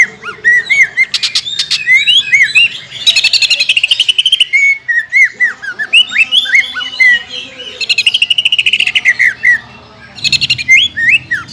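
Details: Lure song of a greater green leafbird, meant to push kept birds into singing for contests: quick chattering trills alternating with looping whistled slurs, continuous and energetic.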